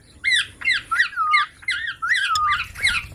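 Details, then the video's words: Baby Indian green parrot chattering and "talking" indoors in a small room, with rapid, harsh, squawky bursts and rising and falling whistled inflections, several per second. "Baby parrot talking|Ameging Indian parrot|Green Parrot|Mithu ki Aavaj|Desi parrot talking video"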